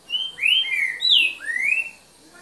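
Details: Green-winged saltator recorded at 7:38 pm on 3 January 2019, singing a soft 'boca mole' phrase: four or five clear, slurred whistles, rising and falling, over about two seconds against a quiet background.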